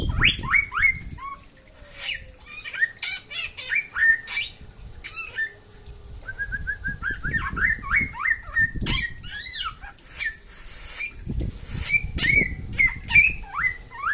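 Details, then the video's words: Samyong from West Nusa Tenggara in full song: repeated whistled rising slurs and short chattering phrases, several per second, broken by sharp clicks and a short pause midway, with low background rumble. "SAMYONG NTB GACOR SUARA MANTAP"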